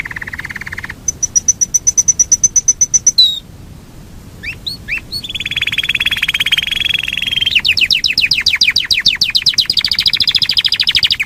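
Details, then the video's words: Yorkshire canary in long rolling song: a low rolling trill, then a high steady repeated roll, quick upward whistled slurs, a long buzzy trill and fast pulsed rolls climbing in pitch, each section held for seconds. "SUARA BURUNG KENARI YOKSHIRE NGEROL PANJANG"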